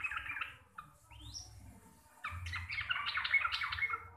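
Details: Sooty-headed bulbul of the local Javanese type, in lively chattering 'gacor receh' style: bright bubbly warbled notes, a quick rising whistle, then a dense run of chirpy phrases with low background hum.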